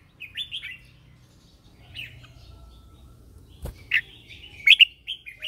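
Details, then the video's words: Red-whiskered bulbul acting as a lure bird in morning training song. Short whistled warbles spaced across the recording, with a sharp click midway and a brighter phrase near the end. "Chào mào mồi hót gọi bổi"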